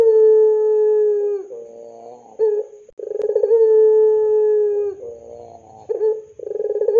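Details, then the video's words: Barbary dove in the pelung style, recorded as tutor material for young birds: a long sustained low coo, a wavering dip, a short burst, then a pulsed roll leading into another drawn-out coo. "SUARA PANCINGAN BURUNG PUTER PELUNG GACOR COCOK UNTUK MASTERAN PUTER MUDA"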